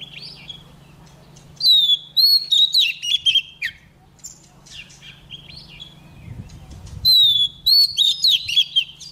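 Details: Female Oriental magpie-robin in song, meant to provoke males to sing: clear, sliding high whistles strung into quick phrases, a softer stretch of scattered notes, then another bright whistled phrase, over low hum.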